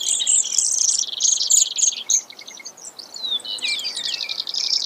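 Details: High, rapid chips from a Brewer's sparrow give way to a softer stretch, then rising and falling sweeping notes and fast trills near the close.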